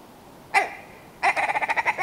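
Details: Willow ptarmigan: one sharp nasal note, a pause, then a quick rhythmic series of about ten hoarse, throaty clucks.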